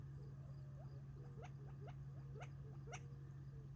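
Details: Gambel's quail eating provided food before retreating for the night, July 2021, near Tularosa Creek; soft low chirps with several sharp, clicky chips spaced about half a second apart, steady low hum beneath.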